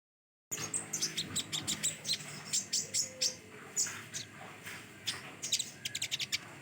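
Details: Common iora singing a rapid run of sharp, high, ticking notes, several per second, in uneven bursts over a steady low hum.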